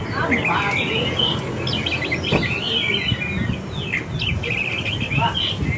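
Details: White-rumped shama song played as a lure for wild birds: a continuous stream of warbled whistles, slurred rising and falling notes and short chatters, against a noisy low hum.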